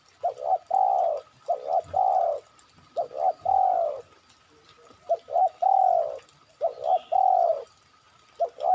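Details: Spotted dove calls played as a lure to draw other birds: loud phrases of two short coos and a long falling coo, repeated about every two seconds, clear against a quiet background.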